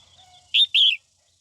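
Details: Female red-whiskered bulbul in morning song to stimulate males: a faint thin whistle first, then two strong, full chirps back to back, the second drawn out and dipping at its end.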